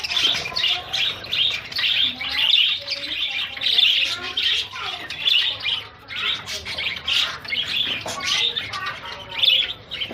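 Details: Several pet zebra finches moving about and flying, giving a dense stream of short nasal beeping calls that overlap, with some notes repeated rapidly in bursts and a few quieter chirps underneath.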